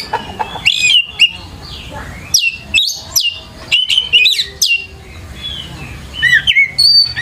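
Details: Lure recording of a white-rumped shama singing to draw other shamas into song: loud varied phrases of sharp downslurred whistles, trills and chatter with short pauses, plus a soft low hum underneath.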